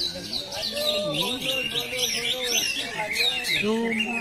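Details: Greater green leafbird, plain class, singing at a bird-singing training contest in South Aceh: dense, rapid twittering and warbled phrases with sliding whistles, overlapping continuously, with men talking underneath.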